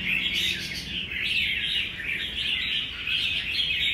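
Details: Caged wild-caught adult Red-whiskered Bulbul, recorded 20 May, gives rough, harsh chattering calls in repeated bursts, answering a neighbouring caged rival that calls over it; a second bird and faint background noise are heard.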